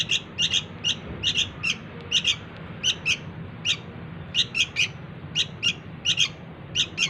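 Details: Sooty-headed bulbul chick calling to lure its parents: sharp, high double chirps repeated in quick bursts about every half second to second, over a steady low rumbling background.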